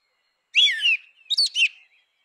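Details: Grey-winged blackbird in natural habitat, giving a rich, falling whistled phrase, then a quick pair of sharper, higher warbled notes. Background silent.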